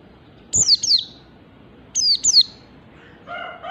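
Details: Two bursts of paired high, steeply falling whistles from a Mountain white-eye singing 'ngalas' style, a faint rooster crow at the close.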